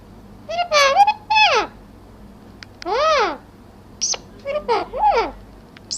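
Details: Talking parrot in India producing a series of nasal, speech-like calls, several with arching pitch that rises then falls, separated by short pauses, plus brief sharp squeaks.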